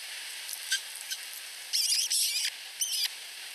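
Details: Osprey nestlings in Finland, two chicks less than a week old, whine for food from the mother at the nest; short high squeals give way to a longer twittering burst, then another brief cheep, over constant background hiss.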